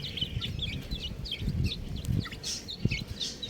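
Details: Chicks of the domestic chicken chirp in clear, downward-flicking high notes, several per second, over a bed of low rustling and knocking.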